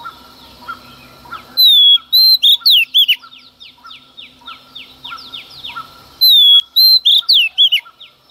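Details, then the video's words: Female Oriental magpie-robin singing in the early morning to provoke males: two bursts of loud, clear whistled phrases with sliding notes and sharp upswept chips. Faint, evenly spaced soft notes from another bird continue underneath. "Choè than mái hót kích trống hót căng sáng sớm"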